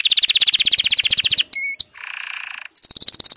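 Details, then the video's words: Excited male canary singing as breeding approaches: fast rattling trills of high chirps, then a short whistled note, a buzzy lower roll, and another rapid high trill to finish. "صوت دكر الكناري الهائج"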